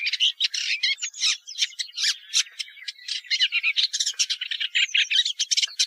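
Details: Continuous Woodchat shrike song of dense, harsh chattering and rasping notes with occasional thin whistled slurs woven through; nothing else audible.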